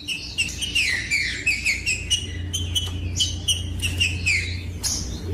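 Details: Green-winged saltator singing, used to warm up a quiet bird and stimulate it to sing: a run of bright, downslurred whistled notes with quick chirps between them, repeated in short phrases over a constant low hum.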